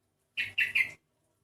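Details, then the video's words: Sooty-headed bulbul with an odd voice, unlike typical individuals of its kind: three harsh, raspy, buzzy notes given in quick succession over about half a second, with a faint low hum in the background. "kutilang ini bersuara aneh, dengar sendiri suaranya"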